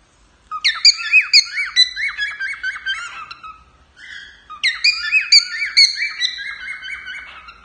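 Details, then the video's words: Cockatiel male singing for its owner: dense phrases of quick whistled chirps and zigzag warbles, a short dip in the middle, then another energetic run of notes. "Calopsita Macho cantando para a dona"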